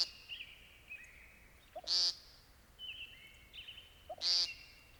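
American Woodcock gives two short, nasal, buzzy peents about two seconds apart. Thin high whistles from other birds sound in between.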